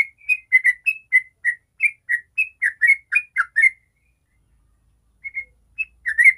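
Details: Sooty-headed bulbul sings in ropel style, a recording used to lure other bulbuls into song: a brisk series of clear whistled and warbled notes for nearly four seconds, silence, then a few scattered notes resuming.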